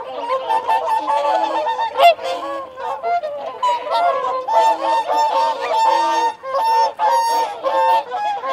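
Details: Whooper swans feeding and calling territorially, a steady dense trumpeting chorus with harmonics stacked high, punctuated by short sharp notes, alongside wigeon and mute swans.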